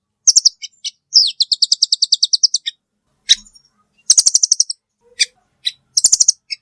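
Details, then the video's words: Velvet-fronted nuthatch with mixed high notes: quick chip bursts, a long even trill of about fifteen notes near two seconds, then scattered single chips and further short rattles. "suara burung rambatan paruh merah"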